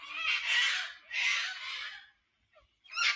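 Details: Noisy wild sulphur-crested cockatoos calling at daybreak at Narrabeen Lagoon, North Narrabeen, Australia; two long harsh broadband screeches, then a brief gap and a third screech starting.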